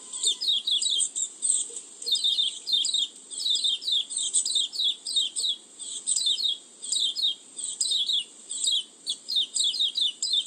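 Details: Oriental white-eye lure call used to attract birds: dense, rapid runs of high descending chirps, nearly continuous bursts across the whole stretch, over a faint constant hiss.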